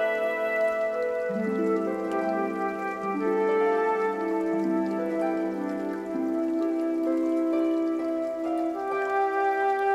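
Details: Soft ambient music plays, with sustained layered tones and slowly shifting chords and no animal voices.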